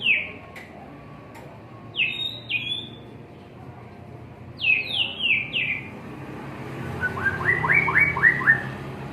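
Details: White-rumped shama in a cage on a terrace, singing varied clear whistles: falling slurred notes, paired bright phrases, a triplet of descending notes, then a rapid series of short rising notes, with background hum throughout.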